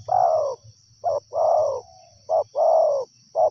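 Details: Wild spotted dove cooing in a steady cycle. A long falling hoarse coo alternates with brief clipped notes, about one phrase every second. A low rumble sits in the background.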